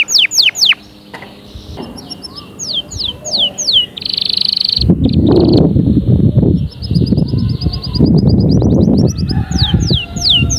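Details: Canary song broken into bursts: falling whistles, buzzy high trills and a fast rattle. Loud low rumbling noise covers the middle section.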